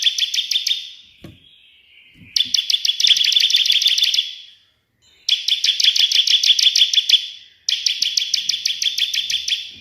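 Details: Bar-winged prinia delivering a burst song of shrill, metallic chattering trills. Four dense bursts, each lasting one to two seconds, are separated by brief gaps, and the rapid notes run almost as a continuous rattle.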